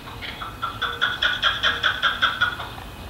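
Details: Chukar Partridge from a flock living in a suburban Colorado neighborhood, cackling from fences and rooftops: a fast run of harsh, clucking notes about two or three per second, swelling then steady, with faint background hum.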